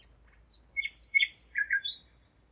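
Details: Nightingale in song at 01:55 on 5 May 2017, Zeitz, Germany, night: a quick, varied phrase of buzzy chirps and slurred notes jumping between high and mid pitch, about a dozen elements in one second.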